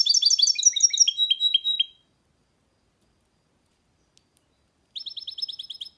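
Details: Hybrid goldfinch mule sings a rapid run of high twittered notes that drop into downward-slurred chirps, then falls silent for three seconds before a fresh burst of fast, even trills.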